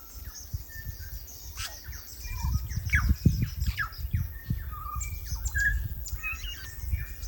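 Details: Korimako, New Zealand's native bellbird, in forest: clear whistled notes and short rising and falling phrases, several overlapping, above a steady low rumble.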